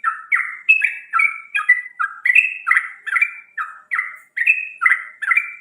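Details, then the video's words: Morning song of a bird: a fast run of short whistled phrases, each sliding down slightly, alternating higher and lower notes over several seconds with a clean, quiet background. "Morning bird whistling sound like in paradise | kuş şarkı söylüyor"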